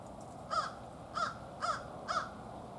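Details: A wild American crow, one of a family group, gives four harsh, hoarse caws about half a second apart over a quiet background hiss.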